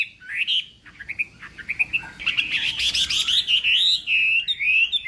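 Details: Chinese hwamei in morning voice training for singing contests: scattered short whistles, then a louder stretch of rolling, warbled whistled phrases that continue to the end.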